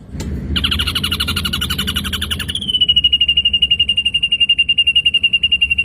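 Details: Ashy drongo recorded as training material for songbirds: a sharp opening note, then a buzzy, rapidly pulsed trill, then a long, high, evenly repeated whistled note series that stays at one pitch, with faint low hum.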